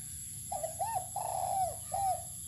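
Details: A single clear phrase from a spotted dove sunning outdoors: a brief soft note, a looping coo, then a long mellow note that slides downward, followed by a short final coo. Quiet low background hum.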